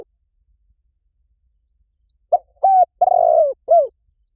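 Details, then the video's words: Silence, then one spotted dove phrase from a dove-luring recording: a short soft opening note, a steady coo, a long rough-edged descending coo and a falling closing coo. "เสียงนกเขาใหญ่ หมานๆ ต่อเข้าเร็ว ป่าไหนก็เข้า"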